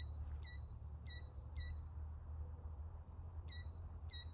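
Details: Killdeer observed on June 19, 2024, giving five short, sharp, high notes at irregular intervals over steady low rumble and a faint continuous insect hum.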